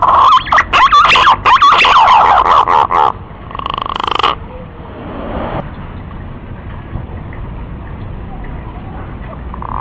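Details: Punai, a green pigeon, delivering a loud burst of rapid, warbling whistled notes for about three seconds, followed by a broad hissing rush and quieter background noise.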